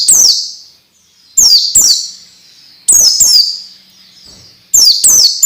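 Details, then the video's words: Song of an orange-headed thrush, played to coax young birds into singing quickly and frequently; shrill descending whistles come singly or in pairs roughly every one to two seconds. "SUARA MASTERAN BIKIN PELECI BAHAN CEPAT BUNYI DAN GACOR"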